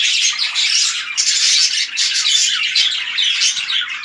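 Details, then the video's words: Budgerigars, a red-eyed lutino breeding pair, keeping up a dense, loud, raspy warbling chatter with quick rising chirps. "Pair Breeding progress of Budgie || Red Eye Lutino pairing(2020)"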